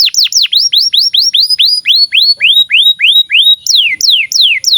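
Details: Canary song played as a tutor recording for young canaries and birds that have stopped singing: a rapid series of sweeping whistled notes, each falling then rising, repeated about three times per second, with a bright, clear tone.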